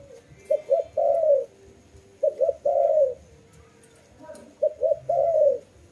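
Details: Low, mellow dove cooing, three phrases of paired short notes ending in a longer descending coo, with soft background noise between.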